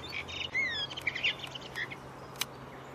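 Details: Redwing singing: a few clear whistled notes slide downward, then scattered short chirps and twittering notes follow, with a sharp click near the end over a quiet background.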